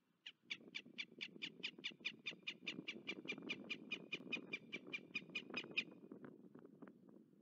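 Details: Northern goshawk at a nest with three eggs at Kanakull, Estonia, during a changeover of the pair on 28 March 2024, giving a fast, harsh chattering series of about twenty-five sharp notes over a low wind rumble.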